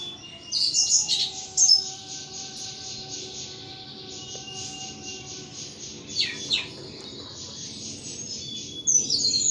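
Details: Captive thrush of a hobbyist in full song: a burst of sharp high notes, then a long stretch of softer trilling chatter, and a final rush of bright whistles near the end.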